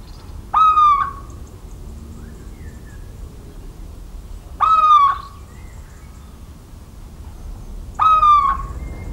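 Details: In central French countryside on 17 March 2019, a little owl repeats its plaintive, slightly descending hoot three times, about every three and a half seconds, with a low rumble of distant background noise.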